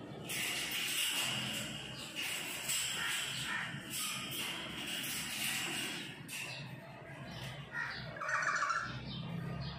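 Red lory giving loud, harsh, grating screeches in irregular bursts, with a sharper squawk near the end; other parrots may be calling in the background.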